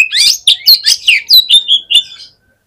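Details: Oriental magpie-robin, a fighter bird at a song contest, delivering a burst of loud, rapid whistles and harsh notes about eight per second, ending in a few clear, level whistles.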